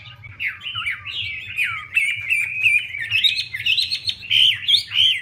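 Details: Chinese hwamei song while a female dances and spreads her feathers to spur the male; fast, fluid warbling of looping whistles and quick slurs, steady and unbroken, ending in bright high notes.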